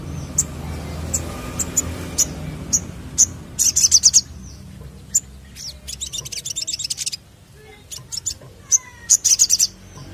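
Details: Crested jay, heard in a lure recording: sharp, very high clicking notes spaced about half a second apart, broken by fast dry rattling bursts of several notes. Faint low background hum.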